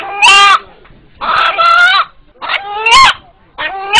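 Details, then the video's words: An eight-month-old pet rooster in Kaliyali village calls when frightened, and its call is likened to "Allah Allah". It gives four short, hoarse, drawn-out calls about a second apart, each rising then falling, with quiet murmuring in the gaps. "উপস্থিত যারা এই মোরগের ডাক শুনলেন এখন তাদের সাথে একটু কথা বলি"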